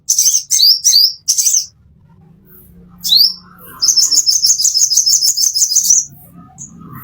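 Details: Plain-throated sunbird master song for caged birds: a few quick high chirping bursts, one rising sweep, then a sustained rapid, very high trill lasting about two seconds, with faint low hum behind.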